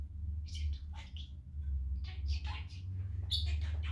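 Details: Pet budgerigar talking while playing with the household on a sunny day, cheerful mood: rapid clusters of high, scratchy chattered syllables and short warbles, broken by brief pauses, over a constant low indoor hum.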